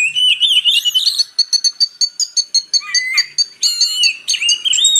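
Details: Purple-throated sunbird (kolibri ninja), mixed with Oriental magpie-robin song as a tutoring recording for magpie-robins: high thin rising whistles, then a rapid series of sharp chips and twittering trills, continuous and clean.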